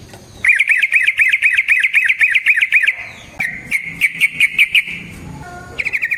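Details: Yellow-vented bulbul (trucuk) song played as a lure to trigger singing in other bulbuls; rapid rolling chatter of repeated bubbly notes, a pause, then a softer trill and a short final burst.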